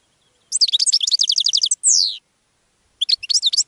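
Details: Goldfinch song offered to attract other birds. A fast, high, tinkling twitter of rapid repeated notes, then a single long descending buzzy slur, a pause of about a second, and another burst of quick chattering twitters, in otherwise silent surroundings.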